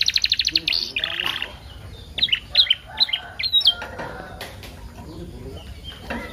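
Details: Young canary song rich in imitated phrases, used to spur other canaries to sing and as a tutor recording; rapid high trill of repeated notes, then a series of sharp rising and falling whistled chirps, with softer chatter and faint clicks behind.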